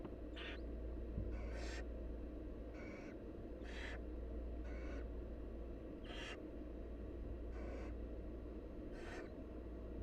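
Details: Wild barn owl nestlings begging while their mother feeds them: short harsh hissing screeches, about eight in ten seconds at uneven intervals, over a steady low hum.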